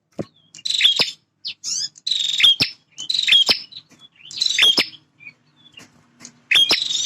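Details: A territorial male bar-winged prinia gives energetic song: five or so dense buzzing rattles, each lasting under a second, broken by short high chips and pauses. A faint low hum runs underneath.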